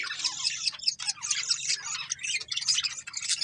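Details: A budgerigar breeding pair produces steady, dense warbling chatter of scratchy, high chirps and squeaks, running almost without pause throughout.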